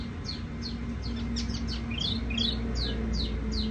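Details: Tiểu mi songbird in soft ringing song: a steady series of high downslurred whistled notes, about three per second, over a constant low mechanical hum.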